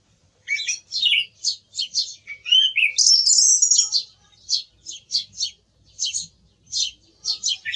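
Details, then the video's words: Song thrush pouring out quick high notes, a long shrill phrase near the middle, then short notes repeated in groups of two and three. "Sonido del Zorzal Comun - Sturz cantator - TURDUS PHILOMELOS"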